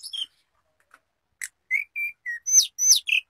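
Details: Hill blue flycatcher, called sulingan, in sparse flute-like song: a lone high note, a gap, then a string of clear level whistles and brighter falling notes.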